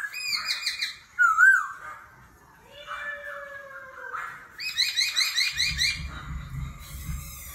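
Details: Laughingthrush singing in competition with a forest-style voice, changing its voice continuously; varied whistled and harmonic phrases, a sharp wavering note, a long low slurred tone, then rapid repeated rich notes over a low rumbling background.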